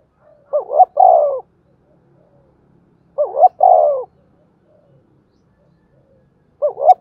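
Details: Spotted dove cooing in the local 'giọng thổ' style, used to stimulate other doves to coo. Low, hollow two-part phrases: a short double note, then a longer rolling coo. Repeated roughly every three seconds over a quiet background.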